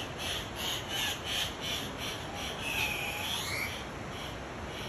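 Andean cock-of-the-rock giving harsh, nasal, squawking calls, repeated roughly three times a second. A steady hiss of background noise runs underneath.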